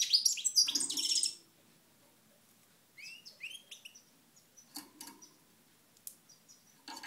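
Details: European goldfinch, Moknine, 2012: a brief loud burst of rapid high twittering at the start, followed by scattered soft chirps and faint upslurred notes.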